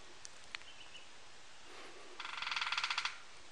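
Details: White-browed piculet giving a fast, slightly swelling trill of about fifteen sharp notes, preceded by a couple of faint clicks and a thin whistle, recorded 8 April 2016.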